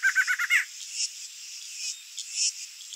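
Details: A male barred antshrike (Thamnophilus doliatus) in breeding season sings near its mate incubating eggs on the nest, a territorial song ending in a quick run of hollow repeated notes and an emphatic flourish, over steady insect hiss.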